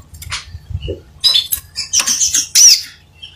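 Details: A crimson sunbird sings energetically, giving a short run of shrill, scratchy high notes that build into a loud thin chip near the end, with low hum underneath.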